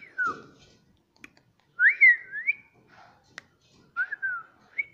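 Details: Indian rose-ringed parakeet kept as a pet, known for talking, gives soft whistled notes: a falling slur, a rising-falling pair of whistles near the middle, then a short two-part whistle with a rising end; quiet indoor room, a few clicks.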